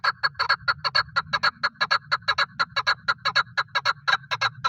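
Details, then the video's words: Male chukar partridge used for hunting, calling continuously with loud, harsh clucking notes, often paired, repeated rapidly throughout over a low background hum. "Paritrighe best sound for hunting | chakor voice"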